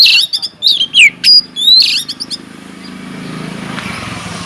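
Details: White-rumped shama singing vigorously in an aviary, used to lure other birds into song; fast, sharp whistles and descending slurred notes for about two seconds, then fading into a soft rushing background.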